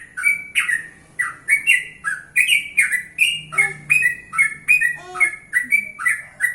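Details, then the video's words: Yellow-vented bulbul morning song, meant to prompt other bulbuls to reply: a steady series of bright, bubbly whistled phrases, each a short rising-falling chirp, repeated roughly every half second, with a faint low lower note now and then. "Trucukan Gacor 100% Suara Alami ||Suara pagi hari||.trucukan lain pasti nyaut"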